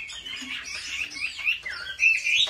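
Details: Brief burst from a Chinese hwamei trained at home for competitive singing: swirling, slurred whistles ending in a loud, sharp phrase.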